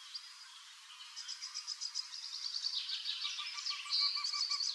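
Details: A male Eurasian wryneck courting in Drenthe on 29 April 2024 calls from an old woodpecker hole to lure a female to inspect the nest: a quick run of high, nasal notes, three or four a second, rising in loudness, with faint birds underneath.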